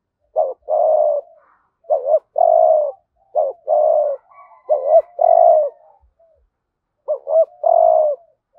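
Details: Lure spotted dove, 'hạp bổi' voice, calling wild doves with 'thúc gù' phrases. Four phrases of a brisk double note and a sustained throaty coo, with soft murmurs between them and a faint thin high whine in the middle.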